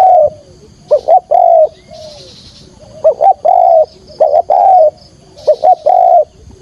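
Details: Spotted dove used as a trapping lure, cooing in the 'thúc gù' style: groups of two quick short notes then a sustained soft coo, repeated in three bursts separated by brief pauses.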